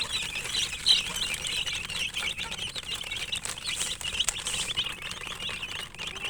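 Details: Chicken chicks peeping softly in a busy overlapping chorus of thin, high cheeps, somewhat blurred by steady background hiss.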